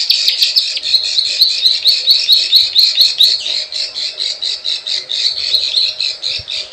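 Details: Lure call of the plain prinia: sharp high clicks opening over a buzzy, trilled chatter of repeated notes, about two per second, continuing evenly to the end.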